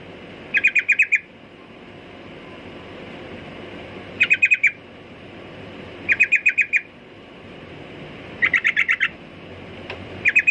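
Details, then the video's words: Sooty-headed bulbul repeating short, rapid bursts of four to six clipped, ringing notes roughly every two seconds, with quiet intervals and light background hiss. "Burung Trucukan Kicau Mania"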